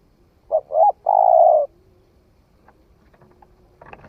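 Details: A newly cooing young spotted dove in the forest: two short soft coos followed by one long, steady, hollow note, then quiet with faint clicks and rustling afterwards.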